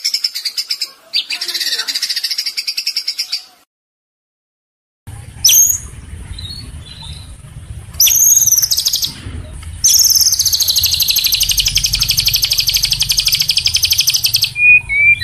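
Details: White-rumped shama training song: a high buzzy rattle, a silent gap, then sharp upslurred whistles and a long rapid pulsing trill over a steady low hum.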